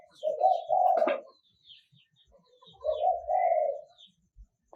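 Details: Spotted dove, '1 kuk' calling style played to lure birds, 2022. Two quiet, wavering double coos about two and a half seconds apart, then a sudden click at the very end.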